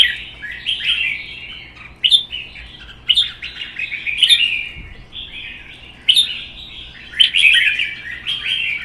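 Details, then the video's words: In a caged singing contest, red-whiskered bulbuls, including a wild-caught adult spreading its tail, deliver repeated bubbly phrases about once a second, each opening with a sharp note and rolling into sweet warbling. "CHÀO MÀO | Hót đấu kích ché"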